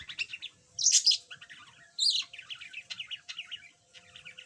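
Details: Yellow pet budgerigar that used to be mute and now chatters a little: a dense, scratchy warble of quick chirps and clicks, broken by two louder harsh bursts near the start.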